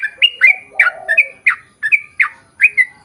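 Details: Lure recording of a sooty-headed bulbul in long chattering 'ropel' song: sharp notes that each drop into a short level whistle, about three a second, over low, softer notes early on.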